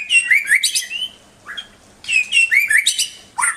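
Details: White-rumped shama song: two bursts of tumbling whistled and chattering notes with a brief low note between, ending in a sudden sharp upward phrase.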